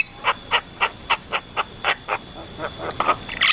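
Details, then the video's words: Rice-field bird calls: an even series of short, mid-pitched notes about four per second, fading slightly, before louder mixed chirping at the end. "suara burung dan pemandangan sawah"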